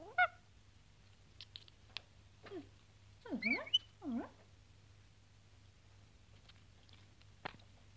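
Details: Rescued lorikeet lacking flight feathers, eating honey and whispering hello: a short high squeak, then clustered soft, wavering speech-like murmurs, with occasional clicks and a low background hum.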